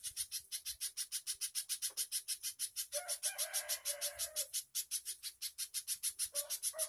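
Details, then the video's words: Spiderhunter in long, energetic song: a relentless series of sharp high notes repeated about five times a second, with a rougher lower burst in the middle. "CIJANTUNG/PIJANTUNG GACOR KONSLET"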